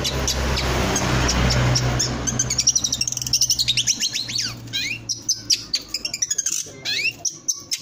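A long-tailed shrike gives fast, scratchy chatter mixed with sharp rising and falling whistles, several notes a second. A low engine-like rumble fills the first two seconds.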